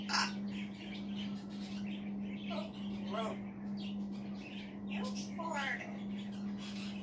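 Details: Caged-home African grey parrot talking to himself from a chair in the background, no humans speaking. Quiet mumbled speech-like syllables and stacked sliding notes appear in brief bursts, masked by room noise and a constant low hum.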